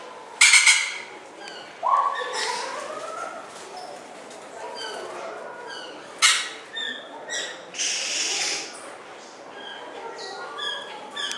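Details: A male crested oropendola at Blijdorp zoo in Rotterdam, Netherlands, displays when a female is near: a liquid, gurgling rising swoop, then loud rushing, rattling bursts and bright scattered notes over about ten seconds.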